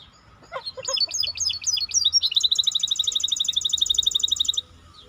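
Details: Singing maestro bird: a handful of downward-swooping whistled notes, then a run of quick rising chirps, then a sustained, steady, very fast high trill of repeated notes lasting over two seconds.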